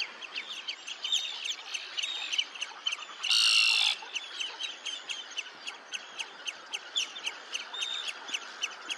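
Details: Red-necked phalarope (Phalaropus lobatus) at Olafsvik, Iceland, 15 June 2024: short, sharp, high chirping notes, several per second and overlapping as if from a few birds, broken by a brief harsh rushing burst.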